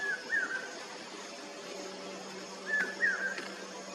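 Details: Common hawk-cuckoo singing: two whistled phrases, each a short note followed by a longer sliding, falling note, separated by a pause of about two seconds, over a steady low hum.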